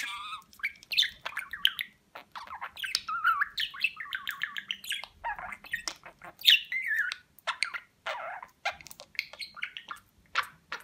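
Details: Domestic talking budgerigar, Rize, Turkey, 2020, trained on words such as "Babacık" and "Aşkım"; continuous scratchy, speech-like warble of rapid chirps and squawky notes with brief pauses, a faint hum underneath.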